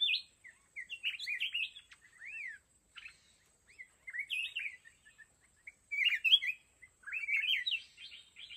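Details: Red-whiskered bulbul used as a decoy in a fighting trap for mountain bulbuls: loud, rich warbled phrases of rising and falling slurred notes in bursts every second or two, with a faint steady high whine behind.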